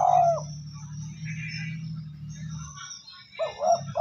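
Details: Spotted dove coo meant to stir decoy birds into calling: a short hoarse coo opens, then a steady low hum fills the middle, and a double coo returns at the end.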